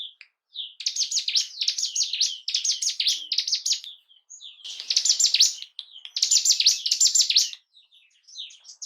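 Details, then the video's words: Bar-winged prinia (ciblek gunung) song used to arouse breeding condition and aggression in caged birds: loud bursts of fast, buzzy, high chattering trills about a second long, separated by soft scattered chirps. "Pancingan burung ciblek gunung pancing birahi dan emosi burung anda"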